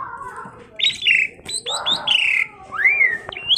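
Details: Chatty tame Asian pied starling for luring other birds: loud whistled slurs, a rising-then-falling sweep and an upslurred final whistle over faint low background noise.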